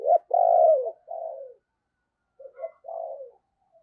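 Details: Morning decoy spotted dove calling wild birds in: a strong clipped note and a drawn-out falling coo, a softer coo, a pause, then a quieter stuttered note and another falling coo.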